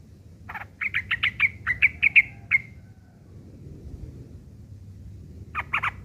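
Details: Yellow-vented bulbul delivering rough ngeriwik chatter as song lessons for long-tailed shrikes: about ten sharp, scratchy chirps in quick succession, quiet, then a brief harsh burst at the end.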